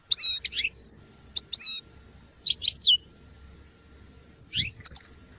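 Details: Goldfinch singing for song training: short bursts of sharp twittering chirps separated by pauses of about a second, each burst ending in a thin whistled note.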